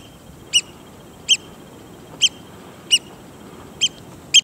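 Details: Eurasian oystercatcher in the Faroe Islands giving six sharp, shrill 'kleep' notes, one every second or less, over a faint steady hiss.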